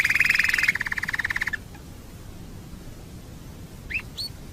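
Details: Canary singing on a bird-training master track: a loud fast rolling trill that slows into separate pulses, then quiet, with two faint upslurred chirps near the end.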